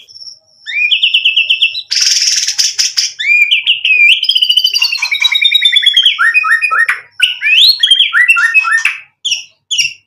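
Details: Varied white-rumped shama song packed with fill-in phrases, used to stir other shamas into song: clear whistles, a harsh rasping burst, descending trilled runs and sharp rising slurs.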